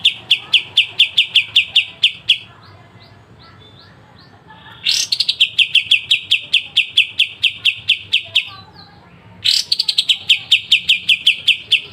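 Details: Pied triller (kapas tembak) song for training songbirds, sharp 'besetan' style: rapid bursts of crisp, high, evenly spaced notes, each burst opening with a downward sweep, separated by short quiet gaps, about twelve seconds.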